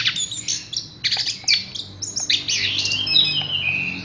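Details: Horsfield's bush lark in a cage giving harsh, squeaky chirps and sliding whistles that end in a longer, drawn-out falling note.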